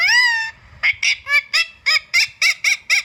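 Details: Indian ringneck parakeet giving a long harsh screech followed by a rapid series of shorter, repeated harsh squawks, several per second, loud and clear in a quiet indoor setting.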